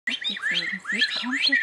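Stone partridge: quick, overlapping rising whistles, several in under two seconds, over low hollow notes.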